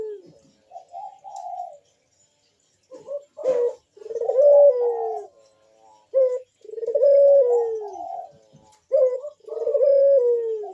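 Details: Barbary dove cooing bekur-style, meant to stimulate other doves to sing: a quiet opening, then clipped notes leading into long mellow coos that sag in pitch, with a faint tap near the start.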